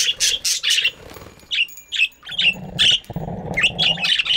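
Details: Lively chatter of budgies in a morning aviary: loud rapid squawky chirps at the start and end, single chirps spaced about half a second apart in the middle, over low rumbling noise.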